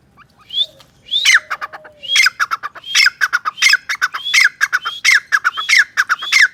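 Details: Grey francolin (teetar) giving a loud, harsh, squawking call: each phrase opens with a rising note and breaks into rapid clipped notes, repeated about every 0.7 seconds in a steady, accelerating run against a quiet background.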